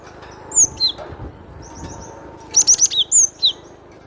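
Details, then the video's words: Cinereous tit singing two falling whistles, then after a pause a fast string of sharp high chips and slurred downward notes, over low background noise. "SUARA BURUNG GLATIK BATU PALING RENYAH"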